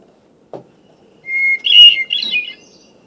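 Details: A hermit thrush opens its song phrase with one long, clear whistled note, then breaks into a quick, higher, ringing flutey flourish, with a soft knock before it. Each phrase starts on a different whistled pitch.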